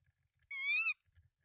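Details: One rising-then-falling, whining tawny owl call lasting under half a second at a nest with three eggs in Denmark, 24 March 2024, as the male delivers rodents to the female; faint low knocks around it.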